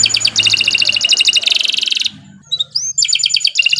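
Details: Canary lure recording for training birds, loud fast trills broken by a quiet pause with a faint slurred whistle, then trilling resumes.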